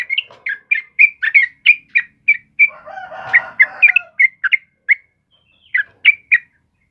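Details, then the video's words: Yellow-vented bulbul (trucukan kebo) singing vigorously, recorded as a lure and master song for training caged birds; short bubbly two-tone notes repeated rapidly with a brief rough rustling burst midway. "SUARA TRUCUKAN KEBO GACOR"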